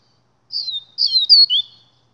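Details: Double-collared seedeater, a 'Gladiador' papa-capim, singing a short phrase of clear, slurred whistles, some falling and some rising, in three quick bursts over about a second against a quiet background.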